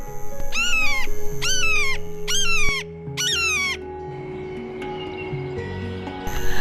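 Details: Red-shouldered Hawk, reputedly North America's loudest raptor and a bird of swamps and wetlands heard near lakes in Georgia, gives four loud, ringing kee-ah screams, each dropping slightly in pitch, about one per second; a low hum and indoor murmur follow.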